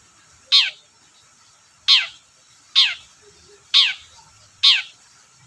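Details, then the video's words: Long-tailed shrike used as a lure for reluctant singers: five loud rasping notes, each sweeping downward, spaced roughly a second apart, over a quiet background. "BURUNG CENDET GACOR DORR PANCINGAN AMPUH CENDET SUSAH BUNYI"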